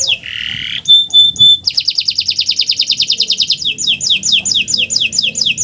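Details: Canary master song to get silent canaries singing: a buzzy rasp, three clear ringing tones, then a long fast trill turning into paired descending whistled notes.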